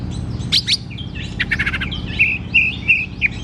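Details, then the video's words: Oriental magpie-robin (kacer) with loud, open ngeplong song, used as therapy for kacer reluctant to sing: quick chips and a rapid rattle, then repeated bright whistled phrases, all over a low steady hum. "KACER GACOR TERAPI KACER MALAS BUNYI"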